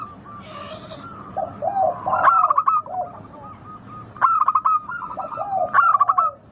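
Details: Local zebra dove song, a clear, crystal-toned recording meant to prompt other doves to sing: three bursts of rapid staccato cooing notes, each ending in rolling trills, with softer lower coos from another dove between them.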